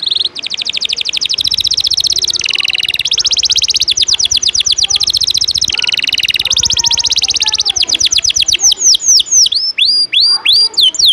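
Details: Canary in a fast ngejos-style song for tutoring lazy singers and contest birds: long dense buzzy trills with shifting pitch, then a series of clear downward-curving whistles repeated about twice a second.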